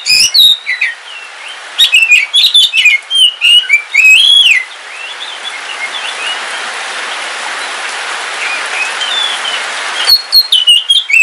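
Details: Kalimantan kacer wulung, a house-kept oriental magpie-robin, sings in the rain: several seconds of rapid, rising and falling whistles, a long gap of rain hiss, then more song.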